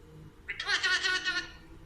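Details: A green talking Alexandrine parakeet gives about a second of rich, raspy, speech-like chatter with a rapid pulsing quality, followed by a brief start of another phrase.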